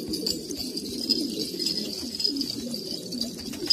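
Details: Old purebred pigeons in Kabul, Afghanistan: a steady chorus of low, overlapping throaty coos from several birds, with a thin constant high whine above.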